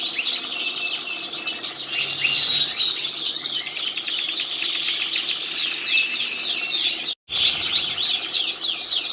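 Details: Canary singing nonstop as a master song for training other birds: a dense, high, rapid stream of rolling trills and quick downward-sweeping notes, briefly cut off near the end before the warbling resumes.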